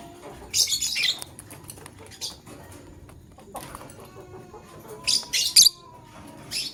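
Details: Male lovebird picking a partner: rasping high chirps in short clusters, with quieter chatter and a thin whistle between them.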